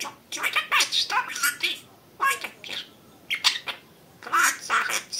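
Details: Pet budgerigar talking, giving phrases of short, scratchy, chattering syllables in bursts with brief pauses between them, bright and squeaky over a quiet background.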